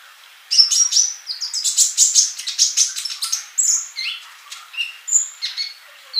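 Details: Song of a lively male sunbird meant to tutor young birds that have not begun singing: a fast, buzzy rattle of high chirps, then scattered short whistles at varied pitches.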